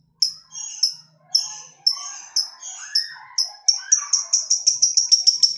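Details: Lovebird lure song meant to get other lovebirds singing: high thin chirps accelerating into a rapid ticking series, with a softer lower warbling underneath.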